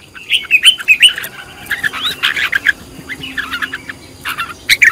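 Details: Red-whiskered bulbul sings during decoy training with a lively, continuous string of warbling whistles and chirps, loudest early on, with a brief dip before another bright burst at the end.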